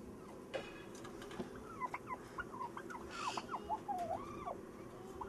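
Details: Turkey giving a rapid run of arched, warbling notes that quicken into a rattling burst before trailing off, with a steady low hum behind it.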